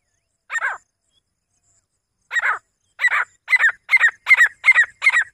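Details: Grey francolin, a female, gives two separate harsh notes, then breaks into a fast run of loud, rasping, double-pulsed notes repeated about two and a half times a second.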